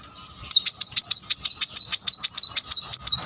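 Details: Lively Plain-throated sunbird song played as a lure for caged birds that sing too little: after half a second of quiet, a quick run of sharp, high, see-sawing notes, about three per second, continues to the end.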